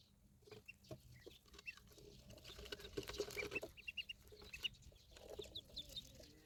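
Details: Ducklings peeping in a burst of brief high notes clustered midway, with soft shuffling and clicking noises throughout.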